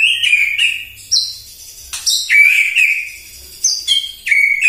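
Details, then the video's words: Energetic morning song of a white-rumped shama, used to provoke other birds: clear fluty whistles alternating with piercing high notes and slurred downward phrases, delivered in loud bursts with short pauses. "PAGI-PAGI MURAI AUTO EMOSI MENDENGAR PANCINGAN INI❗ GACOR FULL❗❗"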